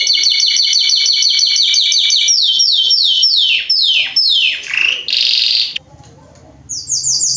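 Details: Belgian canary singing: a fast, even series of high repeated notes, then a run of descending swept notes, a brief buzzy burst, a short silence, and a final quick high trill.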